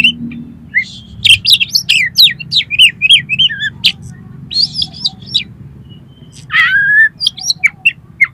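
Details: Oriental magpie-robin song used to prompt a kacer to sing and spread its tail: fast strings of varied whistles and chips, a drawn-out harsh descending note, then more sharp chirps over low hum.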